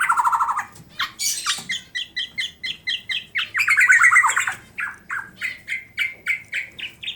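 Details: Black-naped oriole, tame and caged, from Klaten, Central Java: a rattled burst, then rhythmic paired chirps repeating steadily, a loud warbled flourish, and more evenly spaced clear notes.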